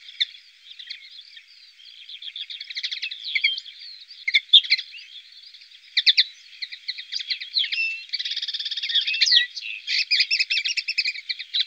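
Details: Continuous tinkling, buzzy song of a European goldfinch from the Llanura Manchega near Tablas de Daimiel, Spain, rapid jumbled notes with trills and a harsh buzzy stretch near the end.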